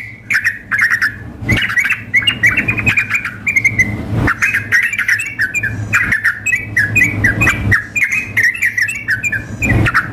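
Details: Sooty-headed bulbuls, female calling male mixed with an agitated singer: clusters of quick bubbly chirps and squawky notes separated by brief gaps, several dull thumps, and a persistent low hum.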